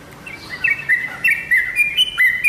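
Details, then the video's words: Short burst of yellow-vented bulbul lure song, aimed at making kept birds reply: a few clear bubbly whistled phrases, each ending in a quick pitch jump. "BURUNG TRUCUKAN ANDA PASTI LANGSUNG NYAUT DENGAN SUARA PANCINGAN INI"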